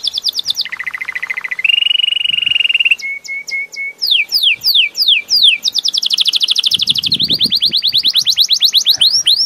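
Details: Belgian canary singing a varied song: high downslurred notes, a buzzy low trill, a steady flat trill, then fast repeated sweeping notes and long rapid rolling trills at high pitch.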